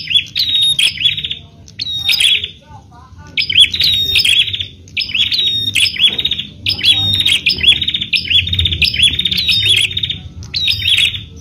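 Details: Song of a bar-winged prinia meant to provoke other prinias to sing: repeated high, rasping, buzzy bursts with sharp chip notes, delivered in quick series about every second, low hum in the background.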